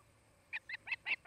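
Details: Osprey at a Charlo, Montana nest, recorded by a nest camera on the afternoon of 8 August 2018; four short, high chirped notes spaced evenly, each slightly louder than the one before, over a quiet hum.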